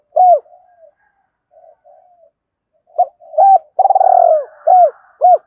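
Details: Spotted dove call used to lure and stimulate other doves: low, mellow coos in short phrases, some with a rough, rolling start, repeated after brief pauses, with a few soft fainter notes between.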